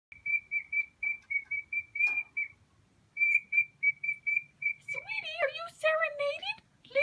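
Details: Pet cockatiel singing to a brand-new cage mate on its first day back from the vet, a series of clear, even whistled notes at a steady pitch, a pause, more whistles, then warbling, chattering phrases.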